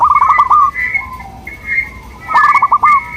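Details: Zebra dove of a local Indonesian strain singing a lure song meant to prompt other doves to reply: rapid bursts of clipped, bubbling coos, separated by smoother drawn-out notes, with a steady higher whistle running alongside.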